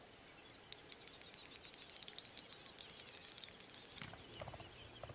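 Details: Male Great Snipe lekking at night in late spring on a European swamp or meadow, displaying to attract females: a fast, high, dry clicking and bubbling chatter running for several seconds, ending in a few sweeping whistled notes over soft background noise.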